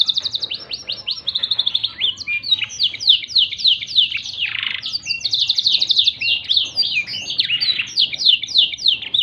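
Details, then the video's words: Black-throated canary singing as a training model for canaries: dense, continuous high twittering with fast trilled runs, sharp downslurs and a brief buzzy passage, hardly pausing throughout. "COCOK UNTUK MASTERAN KENARI ISIAN BLACKTHROAT"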